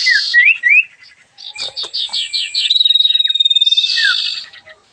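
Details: Sooty-headed bulbul, locally called sirfu, singing energetically: short rising whistled slurs, then a run of rapid buzzy notes and a steady pulsed trill ending in a harsh rasp and a falling whistle.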